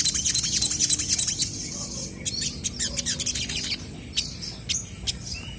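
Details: Crested jays answering one another in full voice: a burst of dense, high, buzzy chatter, then scattered sharp clicks and a short rising whistle near the end.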